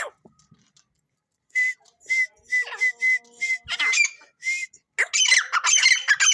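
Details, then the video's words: Fighter grey francolin (teetar) calling: a run of short, clear whistled notes about twice a second, then loud, harsh, squawking shrieks that crowd together toward the end. "Teetar voice"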